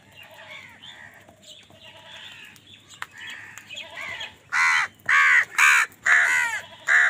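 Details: Crows squabbling with wild birds over food: a jumble of softer overlapping caws, then five loud, harsh, nasal caws in quick succession, about two per second.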